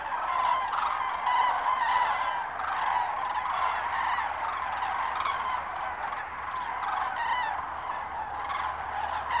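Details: A large gathering of cranes at Lac du Der in February 2012, their rolling, honking calls merging into a continuous chorus, with sharper, higher trumpeting notes standing out now and then.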